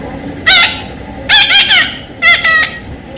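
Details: Three short bursts of loud, nasal squawking from a baby parrot being tamed, the middle burst a doubled rasping call.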